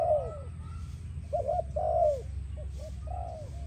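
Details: Spotted dove singing, a recording used for training and attracting doves: a falling coo, then quick wavering short notes and two longer downslurred coos, over a steady low hum.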